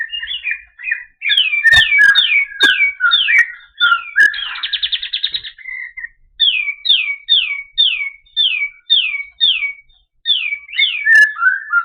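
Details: White-eye, called kapas tembak, singing clearly and lively: mixed chirps and downslurred whistles, a fast buzzy trill, then a long evenly spaced series of falling whistled notes about twice a second, with a few sharp clicks early on.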